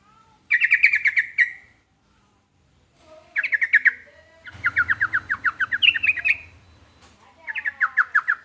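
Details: Sooty-headed bulbul, called trucukan, delivering repeated chattering phrases of quick slurred notes, some longer runs of a dozen notes, with a brief low rumble in the background midway.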